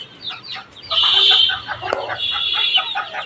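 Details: A six-month-old rooster that has just begun crowing gives a high, strained crow, a long wavering note after a few short clucks.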